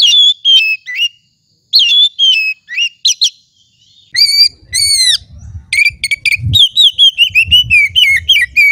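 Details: Oriental magpie-robin, a kept singing bird, giving varied whistled phrases, some sweeping sharply downward, then a lively rapid sequence of repeated descending whistles over a low background rumble.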